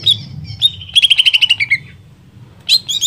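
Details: Greater green leafbird singing to stimulate another leafbird: brief high whistles, then a quick string of about ten chirps sliding downward, ending with a sharp squeaky phrase, faint low hum behind.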